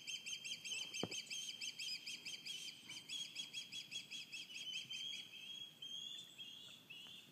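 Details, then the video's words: Morning alarm calls from osprey fledglings and adults at Cleawox Lake, possibly disturbed by passers-by: steady high piping whistles in rapid pulses, roughly three per second, fading slightly toward the end, with one brief click early on. "Osprey song (alarm calls) on Cleawox Lake"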